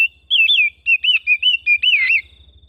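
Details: Oriental magpie-robin kept at home sings a smooth, continuous string of rolling, rising and falling whistled notes, about eight in two seconds, ending in a louder slurred phrase.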